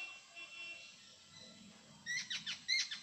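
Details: After a quiet stretch, a jungle babbler in Konkan, India, gives a short burst of four or five scratchy, squeaking notes.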